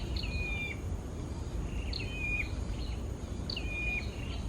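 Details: Hill prinia from a wild breeding pair gives three similar phrases, each a clear whistle sliding down with a short high lead note, spaced roughly one and a half seconds apart. Steady low background rumble throughout.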